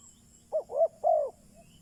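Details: Spotted dove used as a lure for wild doves, uttering a single cooing phrase: two short notes and a longer falling coo, in a quiet setting.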